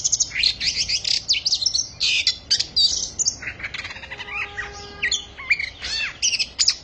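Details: Oriental magpie-robin at the start of its singing season, in the rapid 'tearing cloth' style: a dense, unbroken torrent of varied high whistles, buzzy trills and sharp chips, with quick pitch sweeps throughout, over a low background hum.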